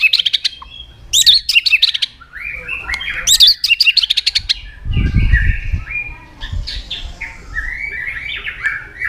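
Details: White-rumped shama lure song with sharp, varied fill-in phrases, meant to set quiet birds singing: high chattering bursts, scratchy twittering and fluid warbles, with a dull low thumping in the middle.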